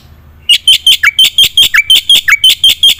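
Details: Black-winged myna in lively gacor full isian song, used as a prompt for silent birds: after a moment of quiet, a fast string of around fourteen sharp notes, several sagging into downward slurs.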